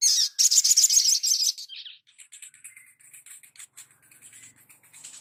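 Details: Sunbird master recording used for training songbirds: a dense burst of high, rapid buzzy chirps for about a second and a half, then fainter, scattered high twittering notes and thin whistles.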